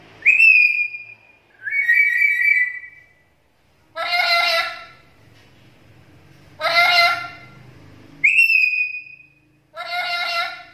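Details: Black-capped lory in full voice, offered as a lure and tutor recording: alternating long level whistles and harsh, buzzy, rich screeches, six loud phrases with short quiet gaps, faint speech in the background.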